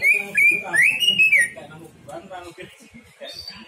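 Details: Greater green leafbird giving bright, sustained whistled notes that rise and level off during the first second and a half, then fade into quieter, softer phrases with some low background chatter.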